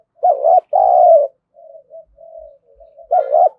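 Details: Lure spotted dove, kept to goad wild doves into fighting, gives two loud, mellow coos in a row. A run of soft, low murmured notes follows, then another strong coo closes the phrase.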